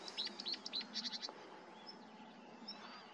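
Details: Marsh warbler singing at Starene bird observatory in 2023: a quick burst of sharp, high chirps and trilled notes in the first second, then sparse thin whistles over low background hum.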